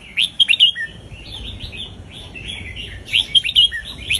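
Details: Red-whiskered bulbul, Indonesian type, delivering southern folk-style song used to train young birds and excite listeners. Clusters of sharp, lilting notes come at the opening and close, with a softer rambling warble between them.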